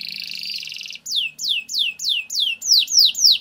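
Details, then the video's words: Canary in strong song, a long rolling performance used as a lure to train other canaries: a dense buzzy trill for a second, then a series of sharp descending whistled notes repeated about every third of a second. "Suara Burung Kenari Gacor Ngerol Panjang Untuk Pancingan Kenari Agar Jadi Juara"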